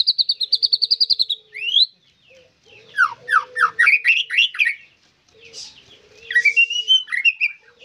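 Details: White-rumped shama song in a cage: a fast string of about ten even high notes, an upslurred whistle, then rolling downward-sweeping trills and a final burst of twittering phrases.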